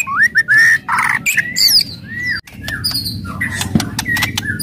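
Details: White-rumped shama in fierce song meant to excite rival birds: rising whistles, a harsh rasping burst, fast upslurred notes and sharp clicks repeated rapidly, over low background hum.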